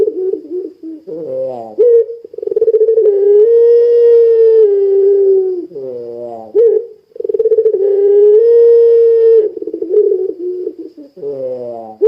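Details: Vigorous puter pelung dove calling, used to set other puter pelung off: long sustained low coos alternating with coarse, descending wavering notes and short sharp hoots, the pattern repeating twice.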